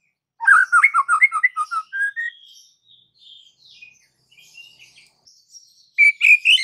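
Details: White-rumped shama song meant to set other shamas singing aggressively: a rapid series of rich warbled notes rising to a clear whistle, faint soft notes trailing, then a harsh, high chattering burst at the end.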